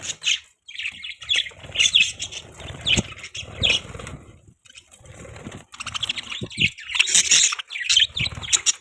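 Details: Several budgies chatter continuously in harsh, scratchy warbles and short chirps, broken by a brief lull midway before the busy chirping resumes, with faint low rumbles beneath.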